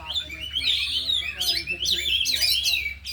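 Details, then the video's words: An oriental magpie-robin in afternoon training, one of four caged birds all singing, pours out its repertoire in rapid, loud, slurred whistles and scratchy trills that rise and fall. A constant low hum runs beneath. "Latihan Kacer di Sore Hari Biarpun Hanya Burung 4 Tapi Jalan Semua dan Bongkar Isian"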